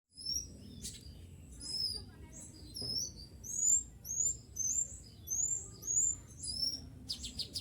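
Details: Tame captive sooty-headed bulbul with smooth plumage, caught by trapping and used as a lure, calling to wild bulbuls: high, bright, rising slurred whistles repeated irregularly, nearly two per second, over low background hum and a few clicks.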